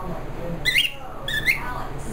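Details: A pet cockatiel "talking" with her owner gives two short, raspy, speech-like bursts in a chattering imitation of conversation.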